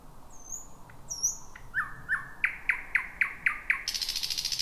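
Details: Night song of a wild thrush nightingale heard at 23:58 in dense bushes, first of 2026: high whistles, then a run of about eight sharp downslurred notes speeding up into a buzzy rattle.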